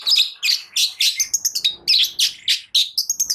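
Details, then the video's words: Shrike song meant to provoke lazy long-tailed shrikes: loud, harsh chirped notes delivered about three per second in an uneven run, with a rising whistled sweep near the end. "Cendet Malas Bunyi Agar Cepat Emosi gacor Sekali Dengar"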